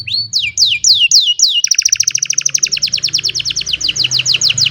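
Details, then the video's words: Old canary singing on a sunny morning, recorded on a phone: a few looping descending whistles followed by a long, rapid, evenly pulsed high trill. "The Beautiful Sound of an Old Canary, in a Sunny Morning"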